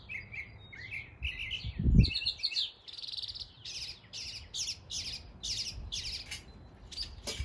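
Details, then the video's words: East Tennessee northern mockingbird imitating local species: varied warbled phrases, then a steady series of harsh buzzy notes repeated about twice a second, with a brief low knock early on. "A mockingbird imitating the sounds of local birds in East Tennessee."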